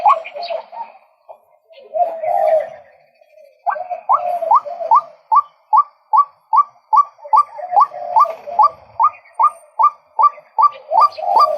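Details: Male White-breasted waterhen: irregular low grumbling notes at first, then a long, even series of sharp rising croaks, roughly two and a half per second.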